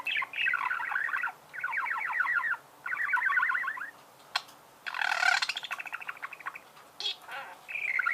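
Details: Budgerigars singing in repeated rhythmic phrases of fast buzzy pulses, each lasting about a second, with a loud harsh grating screech partway through.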